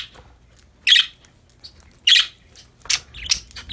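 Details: Budgerigars, described as happy and playing, give two loud raspy chirps followed by softer, quicker twittering notes and faint high scratches.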